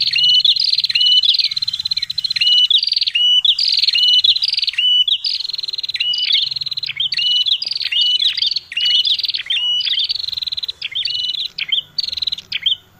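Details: Prinia (chestnut-headed prenjak) chatters non-stop as a lure call, with rapid, sharp, high chirps and short upturned notes tumbling over each other throughout, with no other sounds.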